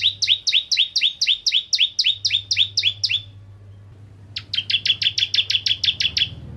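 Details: Bar-winged prinia of the 'ciblek kristal' variety, singing as a lure for other prinias: a run of about fifteen rapid upslurred double notes, a gap of about a second, then a faster, tighter trill of clipped notes; steady low hum behind.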